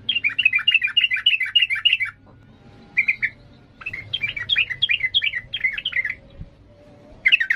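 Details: Sooty-headed bulbul giving agitated ngalas song, a rapid style used as training material for young birds. Long runs of quick, looping chattering notes, several per second, separated by short gaps over a low steady background hum.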